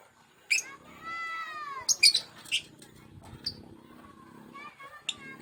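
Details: Male lovebird panicking after being separated from its mate: scattered sharp, shrill chirps and short squawks, a few in quick pairs, plus one drawn-out tonal note that bends downward early on, over a quiet indoor background.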